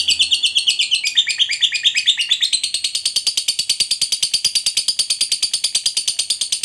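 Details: Long ngekek from a fighter lovebird, played to provoke rival fighters; a dense, metallic trill starts with a few varied warbling notes, then settles into a steady, fast-pulsed chatter that runs without pause.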